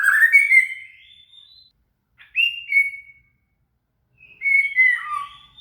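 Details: Murai (shama) singing as tutor material for a cililin: three separated phrases of clear high whistles, the first rising, the last sliding down to a lower note, with silences between.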